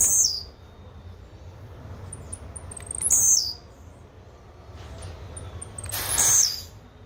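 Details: Brown-plumaged blue-black grassquit repeating a short, very high, sharp buzzy burst roughly every three seconds, each preceded by a few faint high ticks; low background noise.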